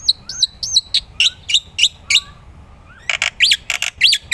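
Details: Black-winged myna used as a lure and training recording, singing in gacor style. Arched whistled notes sound at regular short intervals, with soft low slurs underneath, before a louder stretch of harsh, broad, rapid notes.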